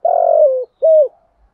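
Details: Spotted dove lure call for drawing wild doves to cooing contests; a long, throaty, pulsing coo sliding slightly down, followed after a brief gap by one shorter clear coo.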